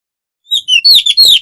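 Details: White-rumped shama singing to provoke rivals into song during mating time, a short burst of clear whistled notes falling from high to mid pitch, followed by rapid slurred phrases.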